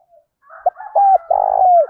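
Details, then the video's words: Spotted dove used as a decoy to call in wild birds in the morning, giving brief coos then a long buzzy rolling coo that slides downward at the end; faint low rumble beneath. "Chim Cu Mồi gáy gọi bổi vào buổi sáng bổi nghe nhanh gáy, tiếng chim cu gáy hay"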